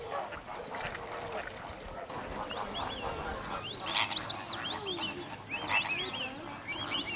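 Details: White-faced whistling duck at WWT Slimbridge: a series of high, thin, arched whistles, several in quick succession, over a low murmur of other waterfowl.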